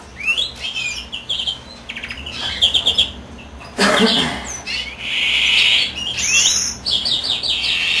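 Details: Male greenfinch singing while his mate incubates: twitters and rapid trills, a brief loud rustle, then a long drawn wheezy buzz and more chattering notes.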